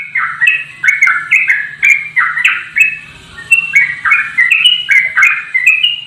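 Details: Straw-headed bulbul singing in the fast, unbroken 'ropel' style while flapping its wings: loud, rich warbled phrases of slurred whistles, each note leaping up or down, poured out in a rapid stream with one brief pause; faint low hum underneath.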